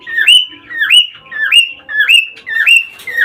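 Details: Cockatiels heard for mating stimulation: five clear whistles, each climbing and then leveling off into a held note, repeated roughly every half second in a steady rhythm.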